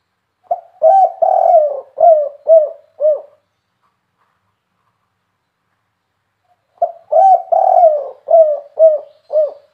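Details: Kuk 3 style call of a spotted dove, locally tekukur or derkuku, with a big voice: two full phrases about six seconds apart, each a run of low, mellow coos ending in three short, evenly spaced notes. Quiet background.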